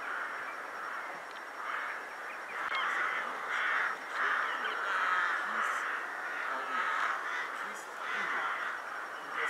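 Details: Wintering rooks massing at a Vienna cemetery in Ottakring just before twilight, a pre-roost gathering place; countless birds give a steady roar of rough cawing calls, swelling and easing in waves.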